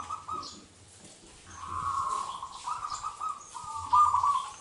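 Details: Indonesian local wild zebra dove singing, a lure sound meant to trigger reluctant doves: a sustained run of quick, vibrating coos held at one pitch, broken into several back-to-back phrases, with a low background hum.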